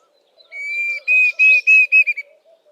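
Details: A Diederik cuckoo whistles a single drawn-out note followed by a run of bright repeated notes that shorten and speed up toward the end, over quiet low twittering.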